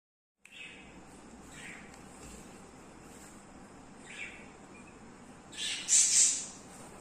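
Young budgerigars give soft, scratchy chirps every second or two, then a louder, harsh burst of raspy calls near the end, over a steady high hiss.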